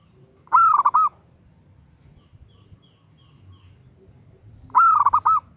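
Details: Calling female zebra dove enticing a male, with two identical trilled coo phrases, each of several quick soft notes, separated by about four seconds of near quiet.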